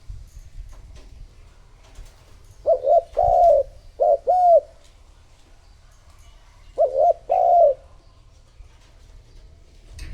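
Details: Spotted dove calling as a decoy to bring other doves close, repeating a phrase of low hooting coos: two paired series of short and drawn-out notes, a pause of about three seconds between phrases, quiet surroundings.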